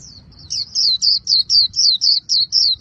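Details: Japanese white-eye from Vietnam, a caged bird performing khuyên líu song: a steady run of about nine high, sharply falling whistled slurs, each quickly repeated, over a soft low background hum.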